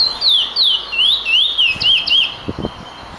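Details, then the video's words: Emprit finch giving a run of clear, high whistles that rise and fall in a wavy pattern, followed by a few dull knocking sounds. "Bird Finch/Emprit Singing Power"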